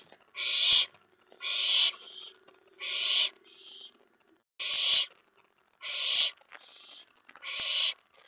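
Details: Excited owlet in a nest box late on a May 2017 night, after a mouse was delivered and another owl landed on the tray, giving a run of seven rasping, breathy screeches, each under half a second, spaced about a second apart, with faint clicks.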